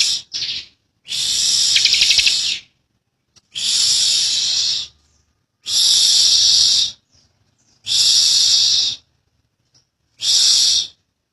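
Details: Bar-winged prinia (Prinia familiaris), an Indonesian endemic, gives harsh, buzzy, high-pitched bursts lasting one to one and a half seconds, repeated about every two seconds with short silences between them.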